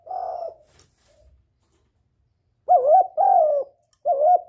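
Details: Spotted dove giving a lure call meant to excite a decoy bird and attract males: one soft low coo, a long pause, then three clear hooting notes, the middle one longest, in a quiet setting.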